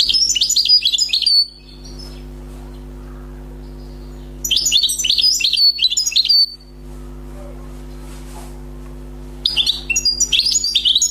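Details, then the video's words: Freshly trapped wild European goldfinch singing in three separate bursts, each about two seconds of fast, tinkling, buzzy twittering, separated by roughly three-second pauses, over a steady low electrical hum. "غناء حسون بري صيد جديد #chant chardonneret"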